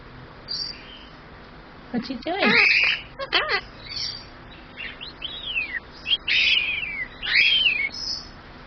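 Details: Pet male superb parrot talking, repeating human phrases like "oh thank you" and "give me a kiss"; squeaky, parrot-voiced syllables in bursts with rising and falling whistled tones, clicks in between.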